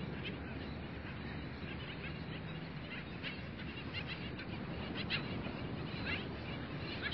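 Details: Skimmers at dawn at a beach bird sanctuary give scattered, yelping barks, roughly one a second and uneven in timing, some louder near the end, over a constant broad low-pitched roar.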